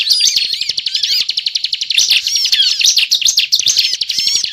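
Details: Sunda robin singing vigorously, recorded as a lure to attract birds for trapping: fast, dense chatter of high, scratchy and whistled notes packed tightly, with varied sweeps and no pauses.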